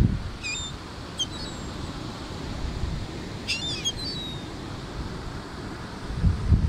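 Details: Wild gulls flying overhead while being fed at the beach in Atlantic City, New Jersey, USA; a few thin, high squealing calls at scattered moments over a steady low rumble of wind and surf.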